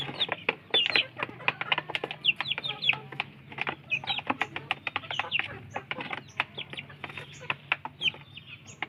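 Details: Several village chicken chicks fighting over food, with bright short peeps and chirps tumbling over rapid beak-tapping on the ground, plus a steady low drone behind.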